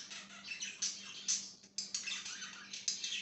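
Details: Short burst of budgie chirping: rapid high warbles and clicking squeaks with a brief pause midway, over a faint hum.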